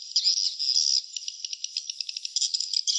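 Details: Nest sound of swiftlets: a short run of high, rapid clicking chatter that breaks into separate pulsed notes toward the end.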